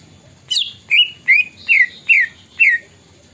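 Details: Greater green leafbird song carrying imitated plaintive cuckoo notes: a sharp high opening note, then five loud whistled slurs about every 0.4 seconds, each dropping slightly in pitch, with a quiet background.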